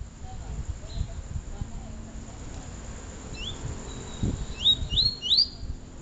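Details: Double-collared seedeater, Peteleco versus Desejo songs: soft scattered high notes at first, then a strong closing run of three loud upslurred whistles, with low background noises throughout.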